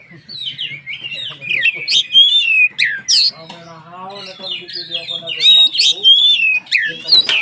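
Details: White-rumped shama singing in a varied burst of loud whistles, slurred notes and harsh chattering phrases, used to provoke other shamas into singing; low murmur beneath.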